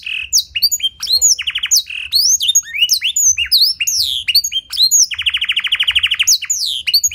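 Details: Canary carrying a blackthroat song fill, used as a lure and tutor recording with a clear voice. A fast, high, varied song of sweeping whistled notes, with rapid buzzy trills near the start and a long rattling trill after five seconds.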